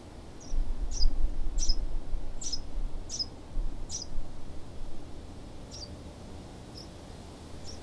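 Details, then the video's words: House sparrow in Southeast Ohio giving a run of short, high chirps about every two-thirds of a second, fading toward the end, over a steady low rumble. "House Sparrow"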